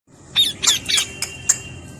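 A parrot gives a quick run of four or five harsh, grating squawks over about a second, high and raspy, against a faint steady background hiss.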